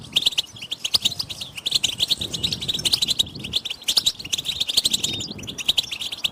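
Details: European goldfinch group chattering, played to make males sing: thin, high tinkling notes and quick trills in a dense chorus, over a soft low murmur in the background.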